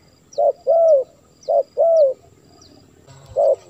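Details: Lure call of a spotted dove for drawing in wild birds: two short-then-long coo pairs, mellow and low, a pause, then one more brief coo, with soft distant twittering.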